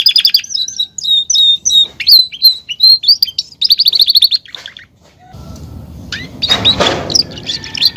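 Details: Belgian canary, a caged male, gives repeated chirped phrases and short trills, then falls quiet as a rustling, thumping noise takes over.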